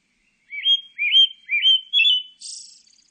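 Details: Four sweet whistled notes, each slurring up then down, delivered about twice a second by a pale thrush, then a soft hissing high terminal note.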